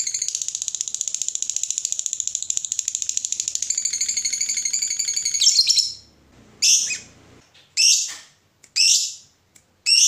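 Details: Fighter lovebird, used as a lure for others, holds a long shrill chattering ngekek trill for about six seconds, then switches to loud, separate rasping bursts roughly once a second.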